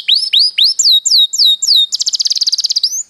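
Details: Canary singing for training other birds: repeated rising and falling whistled slurs about four per second, then a rapid rattling trill and a final upswept note.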